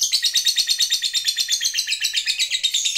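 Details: Fighter lovebird in full 'ngekek panjang' trill, a lure meant to make other lovebirds sing long: sharp, high, scratchy pulses repeated rapidly and evenly for three seconds.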